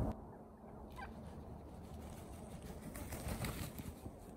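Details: One of five wild turkeys that roosted and lived at a ranch during 2019–2020 gives a brief, throaty gobbling burst near the start, followed by steady rustling outdoor background noise.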